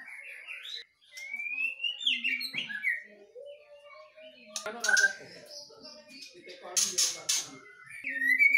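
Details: White-rumped shamas duelling, a Medan bird against a forest-caught Nias bird. Rising whistled phrases and varied notes, broken by several loud harsh bursts, with a low hum and a final high whistle.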